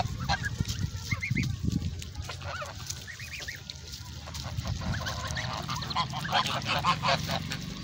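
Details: Noisy farm geese calling as they leave, loud nasal honks repeated rapidly and irregularly, several birds overlapping, over a low rumbling background.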